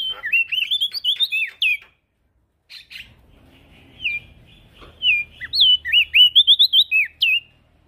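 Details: Male prenjak daun (prinia) in full song, meant as a master track for training other birds; two fast phrases of bright, wavering whistles, roughly ten rapid notes each, separated by a quiet gap.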